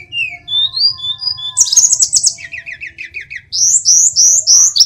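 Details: Tledekan, or sulingan gunung, singing: clear rising whistles, a burst of shrill high trilling, then rhythmic rolling notes and loud repeated looping whistles.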